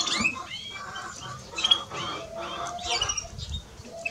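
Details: A male and a female European greenfinch twitter busily, overlapping in quick bursts of chirps and short nasal notes, with a few thin high whistles.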